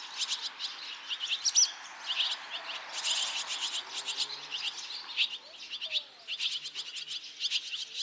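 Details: Barn swallow chicks leaving the nest; all five in one nest fledged within two and a half minutes, urged on by many young already fledged from other nests. Dense, overlapping high chirps pour out in rapid bursts, nearly continuous throughout.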